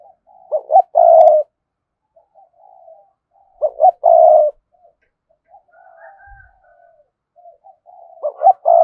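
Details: Spotted dove thúc gù cooing to stimulate wild doves. A low two-note-plus-long-coo phrase repeats about every three seconds, with quiet murmuring coos and a faint higher note between the phrases.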